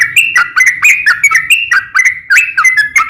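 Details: Rapid, continuous whistled song of a sooty-headed bulbul in the long 'ropel panjang' style, a lure to set other bulbuls singing: tightly linked notes that dip and rise in a bubbling rhythm.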